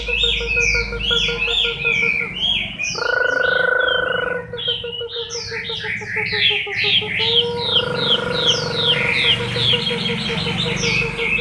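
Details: Moulting Chinese hwamei, October 2015, sings a long, varied stream of bright whistled phrases that slide up and down. A droning, many-layered hum swells and fades twice beneath the song.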